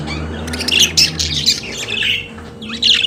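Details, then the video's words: Pet budgerigars singing indoors: bursts of harsh, buzzy chatter and squawky warbles, high-pitched, in clusters about every half second, with a steady low hum underneath. "Periquito Australiano de Estimação Cantando Som de Pássaros de Periquitos Naturais"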